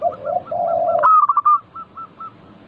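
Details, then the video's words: Local zebra dove singing as a lure to prompt others to sing. Low, rolling, burry notes are cut off by a quick stutter of higher notes. A few spaced, short coos follow. "Pancingan burung perkutut lokal gacor - 100% bikin cepat bunyi langsung nyaut manggung"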